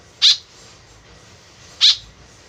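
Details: White-breasted woodswallow calling actively, its call used as a lure: two short, harsh, rasping notes about one and a half seconds apart over a quiet, steady background hiss.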